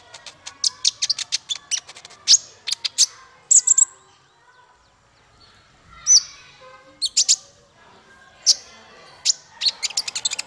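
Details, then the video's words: Male brown-throated sunbird (konin) singing for songbird training: rapid bursts of sharp, high chips and short whistled slurs, grouped in quick runs separated by a quiet pause near mid-clip. "Suara konin untuk masteran burung 100%jitu konin jantan"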